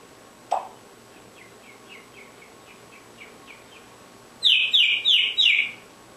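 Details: Pet African grey parrot in the dark, unaware it is filmed: a short low squawk, a faint run of soft repeated chirps, then four loud bright whistled chirps in quick succession.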